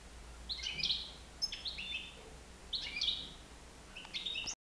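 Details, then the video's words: European goldfinch of nine months loose in a living room; short bursts of bright buzzy twitters separated by pauses of about a second, ending abruptly, faint low hum throughout. "chardonneret libre dans mon salon"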